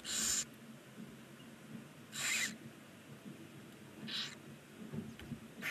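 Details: Barn owl chicks, nine of them at day 19, in a nest box on a chimney side in Ságvár, Hungary, give loud, harsh, broadband hissing screeches in bursts roughly every two seconds over a quiet low background hum.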